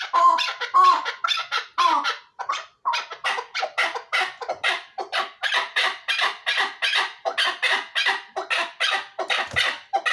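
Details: Chukar partridge from Dulan, praised as a top singing bird, giving a long series of harsh rhythmic clucking notes that repeat steadily and build into a fast chattering run.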